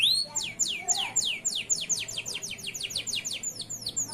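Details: Local male canary, loper type, singing as a master for young canaries: a rapid rolling series of down-slurred whistled notes, steady and repeated many times a second.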